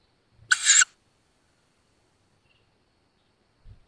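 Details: Fledgling tawny owls at a woodland nest outside Szokolya, Hungary, recorded by nest cam on 7 May 2022: one clean, wheezy shriek of about a third of a second, followed by near silence and a faint bump.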